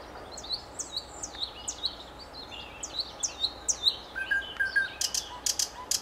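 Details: Common nightingale singing a run of swooping, high whistled notes repeated about twice a second, ending in a quick burst of dry rattling notes.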